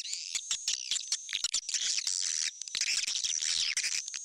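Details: Recording used to call swiftlets into a nesting house: an almost continuous high, rattling chatter of squeaky chirps and twitters, with crackling clicks woven through.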